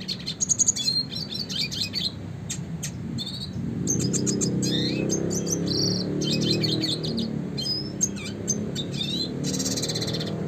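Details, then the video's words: Red siskin in classic, non-stop rolling and 'shooting' song used as a master for contest birds: dense high chips, short buzzy trills and quick rising notes, with a low rumbling hum swelling midway. "kicauan suara burung red siskin klasik gacor untuk pancingan dan masteran burung berkicau"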